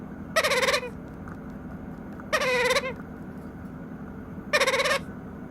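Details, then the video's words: Hungry White-capped pionus chick about nine weeks old, learning balance, giving three harsh, nasal, bleating cries, each about half a second long and spaced roughly two seconds apart, over a steady low background hum. "Baby Parrot Learning Balance and Making Hunger Noises"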